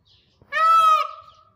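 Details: Green peafowl (Java peacock) giving a single loud, nasal, honking note of about half a second, rich in harmonics and level in pitch, with a faint fading tail and quiet surroundings.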